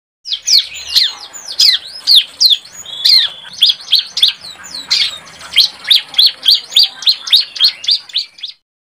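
A young bar-winged prinia practises its song: a rapid, rambling string of high chirps and sharp downslurred notes, about two per second, with no other sounds.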